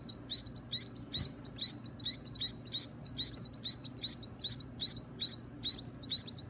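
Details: Hungry baby birds at feeding time, owned and hand-fed: loud, clipped high chirps in regular pulses, roughly two or three a second, each with a twisting upward inflection, against a low background hum.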